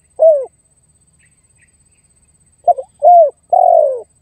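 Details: Spotted dove calling to lure and challenge a rival: one falling coo, a pause, then a clipped stutter, a curved coo and a long buzzy descending coo in quick succession, background silent.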